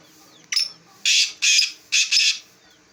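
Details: Black francolin from Jhang, a desi bird, calls with a short harsh note followed by four loud, rasping, broadband bursts grouped in pairs. A faint background hum lies beneath.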